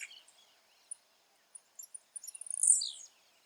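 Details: Wild blue-black grassquit in its natural habitat: faint, very high thin chirps scattered over the first seconds, then a quick buzzy burst of rapid notes that drops in pitch near the end, with a quiet rural background.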